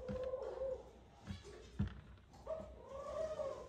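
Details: Nest call of a courting male Eurasian collared dove summoning the female: softer, drawn-out coos at the start and end, with thumps and clicks in between.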